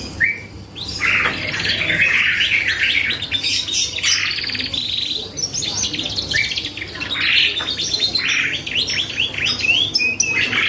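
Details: Canary singing persistently, used as a lure to provoke other canaries and birds into answering; long bursts of fast, bright trills and buzzy rolled phrases, with brief pauses between bursts and a steady low hum beneath.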